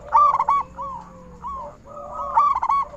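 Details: Big-voiced local zebra dove, used as a lure so other zebra doves will sing: two quick stuttered coo bursts framing a run of lower, drawn-out coos, with a second, softer dove cooing underneath.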